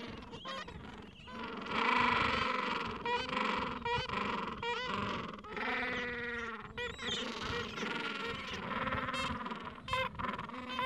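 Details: Gentoo penguin colony in the Falkland Islands during a mild afternoon, with adults caring for chicks two to three weeks old; loud rhythmic braying bursts rise above constant overlapping calls, swelling strongly near the second second.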